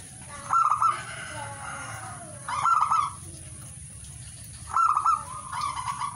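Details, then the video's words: Zebra dove song in three spaced phrases roughly every two seconds, each a short loud trilled coo followed by a softer tail, over quiet background hiss. "singing birds of turtledove"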